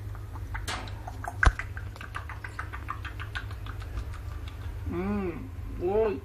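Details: A pet parrot hanging upside down while people talk to it indoors gives two short, arching, speech-like calls near the end, after a run of soft tapping clicks over a low hum.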